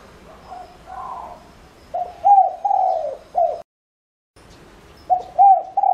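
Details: Decoy spotted dove cooing to lure other doves: a soft, muffled coo opens, then loud hoarse notes with one slurred, drawn-out coo, a brief break, and the phrase starting again.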